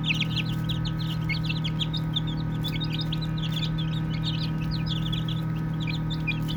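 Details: Chirping baby chicks at play: scattered bursts of high, downward-sliding peeps, somewhat sparser toward the end, over a persistent low drone.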